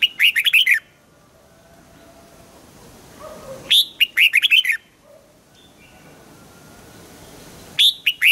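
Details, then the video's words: Morning song of a red-whiskered bulbul for voice training, double-note old-forest style. Busy phrases of six to eight rapid chirping notes recur roughly every four seconds, with soft low chatter faint between them. "Luyện giọng cho chào mào hót sáng, ép chào mào hót âm kép già rừng hay tuyệt!"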